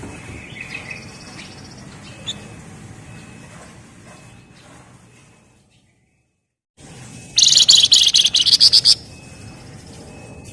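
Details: Javan fulvetta, locally wergan jawa or flamboyan, singing in the close-packed 'ngebren' style. After faint scattered notes and a brief silent gap comes a loud, rapid, high chattering trill of about ten pulses lasting under two seconds.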